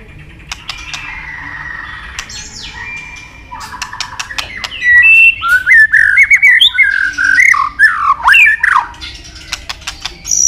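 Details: White-rumped shama song for training: soft scattered clicks and faint notes at first, then loud, varied whistled and warbled phrases in quick succession, twisting up and down.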